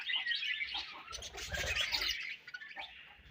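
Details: Colony of budgies chattering: a continuous wash of high warbling chirps and squeaks from many birds, fading toward the end, with faint low rumbling underneath.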